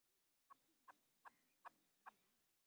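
A chukar partridge gives five short, clipped chuck notes about every 0.4 seconds, with a low background hiss.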